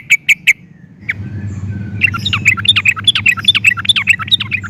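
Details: Sooty-headed bulbul recording meant as a lure. Three sharp opening chirps, a quiet gap, then a long varied chatter of tumbling up-and-down notes over low background rumble.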